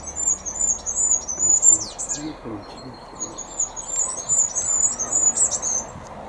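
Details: Goldcrest singing in a garden: very high, thin, rapid notes in rhythmic repeated phrases, one ending in a quick twirled flourish, with a quiet voice murmuring underneath. This is a song rather than a call.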